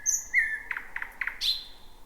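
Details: Thrush nightingale, the first heard in 2026, singing at night near midnight from dense bushes: a loud whistled note, a run of clicking knocks, then a sharp rising-falling whistle, over quiet background.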